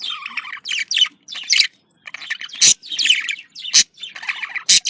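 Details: Pet budgerigars chattering to stimulate breeding: dense, scratchy warbling bursts mixed with sharp high chirps, in uneven phrases separated by brief pauses.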